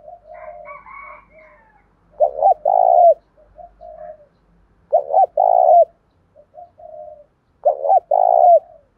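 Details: Spotted dove in the Đồng Pha style, calling to goad rivals into fighting and prompt caged doves to sing. Loud two-note coo phrases come roughly every three seconds, separated by quieter murmured coos. Faint higher chatter opens the recording.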